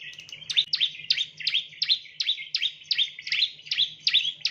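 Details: Bar-winged prinia, known locally as ciblek, chirping as a lure for training birds: sharp downslurred chirps repeated nearly three times a second in a steady series, with a faint low hum underneath.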